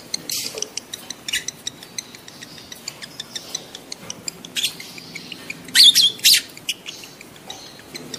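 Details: Lovebird calling in heat, used to coax adults into mating: scattered sharp, high screeches. A tight cluster of loud shrieks comes near the end, with faint ticking throughout.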